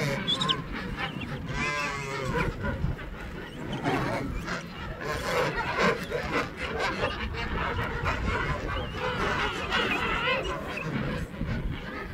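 A dense chorus of King penguins: overlapping trumpeting, wavering calls from many birds, with a steady low rumble of wind or surf beneath.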